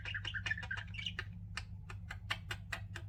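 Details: Pet budgies chirping indoors: a burst of quick, warbling chatter for about a second, then a run of sharp, dry clicking ticks spaced a fraction of a second apart, over a steady low hum.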